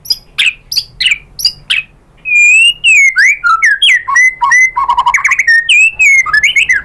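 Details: White-rumped shama singing as a lure meant to make other shamas sing back: a few loud chips, then a rich, fast medley of clear whistles, slurred rising and falling notes and buzzy trills.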